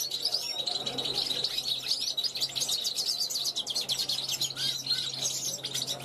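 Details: Balcony recording of a 2021 juvenile European goldfinch rehearsing its song and calling to wild goldfinches passing by: long, bright, tinkling twitter of fast chirps, trills and short buzzes, steady throughout, with a low steady hum beneath.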